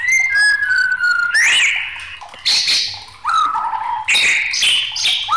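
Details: Raging white-rumped shama delivering varied loud whistles: a falling whistled phrase, an upward-sliding note, then harsh buzzy bursts mixed with bright whistles in quick succession.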